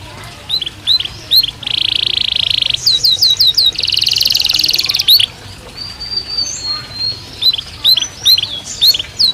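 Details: Belgian canary singing naturally: high sweeping chirps, then a long buzzy high trill, more rapid upslurred notes, a second dense rattling trill, and a thin sustained whistle before scattered chirps resume.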